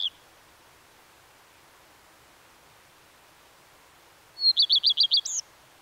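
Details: A lone Common redstart phrase after a long quiet pause: a brief high note followed by six fast repeated ringing notes and a sharp rising squeak at the end.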